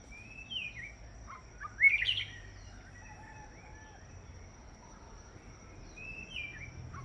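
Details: White-rumped shama on a branch on Kauai: scattered soft whistled notes around one loud, bright twittering burst, with gentle background hiss.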